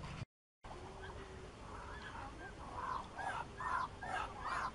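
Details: Muscovy duck giving a run of short, rounded, nasal calls repeated about twice a second and growing louder toward the end, over a steady background hum.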